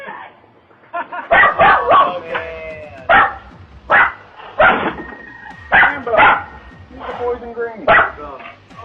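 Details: Pet parrot screaming for help: a run of loud, harsh, harmonic cries, some speech-like, coming in bursts about every half second to a second, with brief gaps between.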